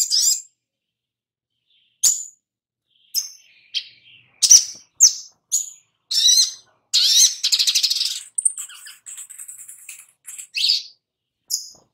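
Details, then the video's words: Sogok ontong played as a lure to make birds sing: sharp, very high chirps and short buzzy trills, spaced irregularly with some silent gaps, one longer rattling buzz in the middle. "Pancingan SOGOK ONTONG Biar NYAUT GACOR"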